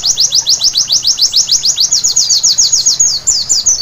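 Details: High-pitched nighttime song of a white-eye, a quick, regular chain of sharp down-slurred chirps, followed by a few looser, more varied twittering notes at the close.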